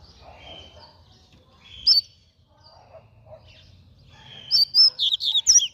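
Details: Quick song from a double-collared seedeater: one sharp high note, soft distant chirps, then a rapid run of loud, bright whistled notes closing the recording.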